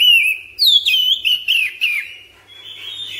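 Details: Domestic oriental magpie-robin (kacer) singing ngropel with long breath: a sustained clear whistle, then a rapid string of falling, slurred notes about every quarter second, fading to a soft tail.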